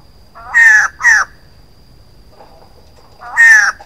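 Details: Female white-crested laughingthrush giving harsh, nasal, downslurred calls, two close together then one more after a pause, over a faint steady hum.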